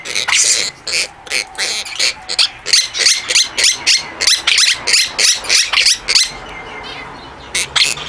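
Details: Quaker parrots, a pair in their nest with two babies, one calling while protecting the nest; rapid harsh squawks about three per second for six seconds, then sparser, with a person talking and laughing nearby.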